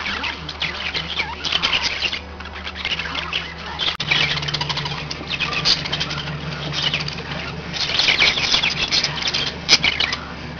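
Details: Pet budgerigars, several birds together, chattering in waves: scratchy high warbles and chirps that swell and fade, with a low droning hum in the background.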